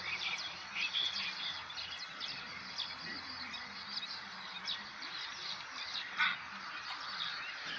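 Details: A wild Javan pied starling gives a busy, chattering run of short chirps and whistles, with a steady high insect whine and other birds in the background.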